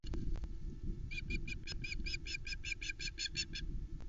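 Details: Female osprey squawking at the Loch Arkaig nest on 1 September 2020 around a live flatfish brought by the male. A quick string of shrill, whistled chips rises over heavy low rumbling noise, likely wind on the nest camera.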